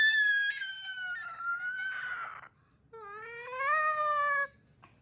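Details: Indoor pet Moluccan cockatoo, a male, extra talkative before bed in June 2020: a long, slowly falling, cat-like wail with a raspy middle, a brief silence, then a sustained rising and flattening whine.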